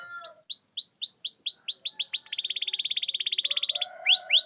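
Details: Canary song used to draw out silent canaries: a series of rising whistled notes speeding up into a dense fast buzzy roll, then slower rising whistles again.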